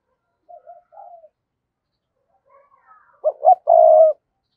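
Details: Spotted dove kept as a decoy to attract wild doves; soft quiet notes at first, then a loud phrase of two short coos and one long, steady coo.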